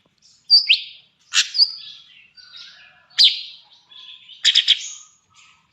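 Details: Sooty-headed bulbul (cucak cungkok), trotol-style material: separated bright chirps and sharp downslurred whistles in short bursts roughly every second, with softer fluty notes between and quiet gaps.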